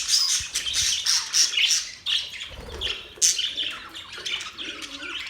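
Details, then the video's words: Budgerigars' mating sounds: fast scratchy chatter with clicks and squeaks in bursts, including a sharp squawk-like note partway through and a short pause around the middle. "Budgies Parrot | Budgies singing | Budgies mating sounds | Budgies chirping sounds"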